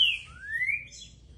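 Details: Green-winged saltator, called trinca-ferro, a spirited singing bird: a short clear whistle falling then a long thin rising whistled note, faint against low background noise.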